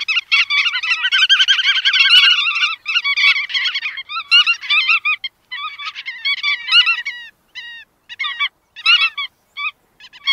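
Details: Bar-tailed godwits open with a dense, overlapping chatter of nasal calls. The calling then thins into scattered, separate upward-flicked notes with growing silences between them.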